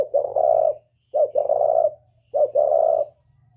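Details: Northern Vietnamese spotted dove in the whistle-voiced style, calling to lure wild doves: three mellow cooing phrases, each a short note run into a longer rich coo, repeated about every 1.2 seconds with a faint low hum behind.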